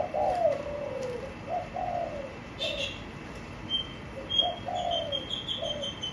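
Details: Caged spotted dove with a blue-based cage cooing in low, falling two- and three-note phrases, while higher thin chirps and whistles from other small birds sound in the background.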